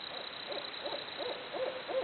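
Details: Barred owls hooting away, making jungle noises: a quick series of short, low hooted notes repeated about three times a second, rising toward a final clearer note, over steady heavy hiss.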